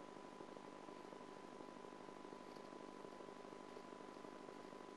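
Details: Steady electrical hum with a faint tonal whine over constant hiss inside a nest box camera setup; no animal voice is heard.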